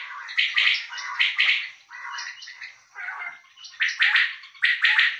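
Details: A male common quail gives a steady run of clipped, triple-pulsed calls, the phrases following each other with barely a pause. Quieter rasping phrases are mixed in, and no other sounds intrude.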